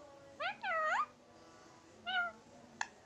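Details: Tame Indian ringneck parakeet kept indoors as a pet, imitating a cat's meow: two drawn-out, wavering meow-like calls followed by a shorter one, then a single click.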